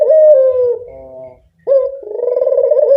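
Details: Turtle dove of a local strain giving a lure call: a smooth falling coo, a softer trailing tone, a brief gap, then a rising flick into a rolling, pulsed coo.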